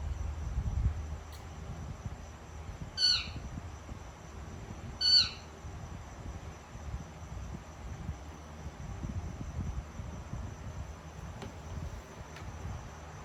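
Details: Female Indian ringneck parakeet kept as a pet, calling while eating her dinner: two brief raspy squawks about two seconds apart, with faint clicks and low indoor background noise between them.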